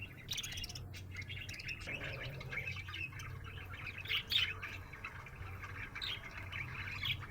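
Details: Happy budgerigar chirping: fast, continuous chatter with a louder burst of chirps near the middle, set against a constant low hum.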